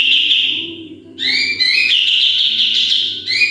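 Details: Training recording of a sooty-headed bulbul delivering piercing 'tembakan' shots: a fading held whistle, a short silence, then a strong burst of rising slurred notes that settles into a loud steady whistle, with another rising phrase at the end.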